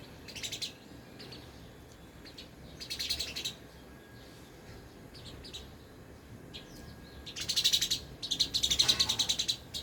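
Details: Sparrows eating at a small feeder set up in an apartment; scattered bursts of quick high chirping that build into a louder rapid chatter near the end, over low hum.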